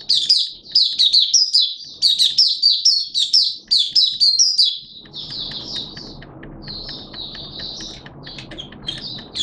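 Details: Malaysian oriental white-eye in open singing: a fast, loud run of high jumbled twittering notes, then softer, slightly quieter warbled phrases continuing at a gentler pace.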